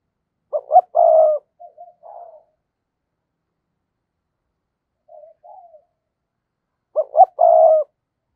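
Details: [1, 'Decoy spotted dove calling to lure wild doves: a loud three-part coo with two short stuttered notes and a longer rolling note, followed by softer low murmurs, then the phrase repeats about six seconds later in quiet surroundings.']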